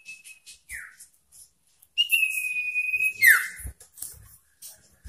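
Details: Varied, persistent common iora song intended to rile rivals: a level whistle and a falling slur, then a long sustained trill that breaks into a steep downward sweep, with scattered soft clicks around it.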